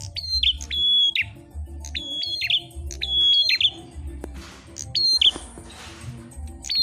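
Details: Fighting Ashy tailorbird (prenjak kepala merah) gives long even whistles, each ending in a sharp downward flick, spaced about a second apart, with low hum and brief noise bursts.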